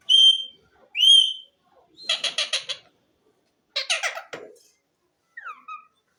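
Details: Talking green ring-necked parakeet: two loud whistled squeals, then two bursts of rapid, buzzy, speech-like syllables, and a soft falling note at the end.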